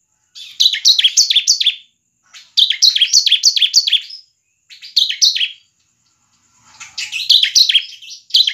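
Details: A semi-crystal bar-winged prinia (ciblek) sings in lively bursts of high, sharp chirping notes, each phrase lasting about a second and a half with short pauses between. It is used to lure other prinias into singing.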